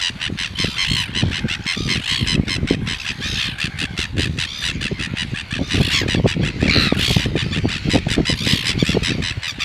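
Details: Mating pair of red-billed gulls at Taiaroa Head on the Otago Peninsula, male mounted on the female; a steady stream of harsh, rasping squawks over heavy low buffeting noise, with a few louder drawn-out cries near the end.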